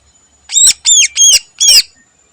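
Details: Greater green leafbird (cucak ijo) singing energetically in the morning, a song packed with learned phrases. After half a second of quiet come four harsh, buzzy arched notes at an even pace.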